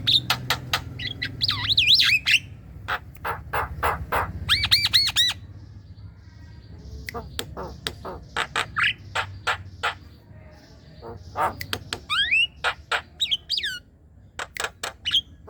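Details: Javan myna calls used to lure young mynas into calling: harsh rasping squawks in irregular series, mixed with short rising and looping whistles, some quieter stretches between loud bursts.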